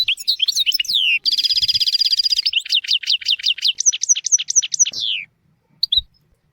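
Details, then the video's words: European goldfinch song for tutoring young goldfinches and canaries. Downward slurs give way to a long rattling buzzy trill, then a steady series of sharp, repeated falling notes and a final descending note, with a short chirp after silence. "تغريد طائر الحسون حفاضة لتعليم طيور الحسون والكناري بدون أخطاء"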